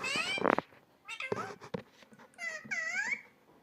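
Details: Parrot (mithu tota) talking in a loud, close voice: a harsh buzzy burst, a few clipped syllables, then a long wavering harmonic phrase, with brief knocks and handling noise.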